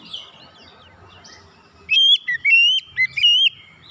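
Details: Oriental magpie-robin lure song used to coax other birds into singing: after a quiet start with faint background chatter, a burst of loud, clear whistled notes rising and falling around high pitch, repeated in quick phrases.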